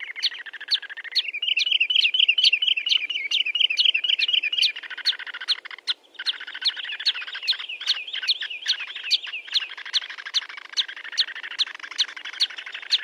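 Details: Sandpiper calls in a clean recording free of background noise: rapid sharp chirps repeated about two or three times a second, with a brief fluttering trill near the start and steady clipped notes after a short gap.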